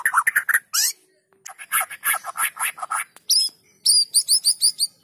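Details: Song of a white-rumped shama played to get other shamas singing: rapid chips, a series of evenly spaced buzzy notes, then very high repeated looping whistles.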